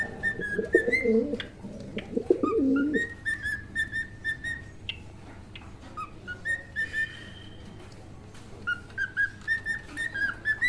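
A cockatiel sings clear whistled notes, many sliding upward, in short repeated phrases.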